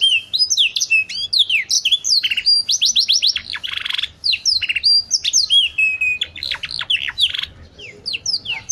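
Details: Caged domestic canary (kenari) delivering a continuous varied song of rapid chirps, descending sweeps, trills and buzzy notes, mostly high-pitched, with few pauses, described as a fine cengkok style and used for training other birds.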